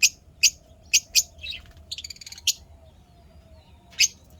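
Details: Pet lovebirds chirping happily, sharp high chirps in short bursts spaced irregularly, with a faint low hum underneath.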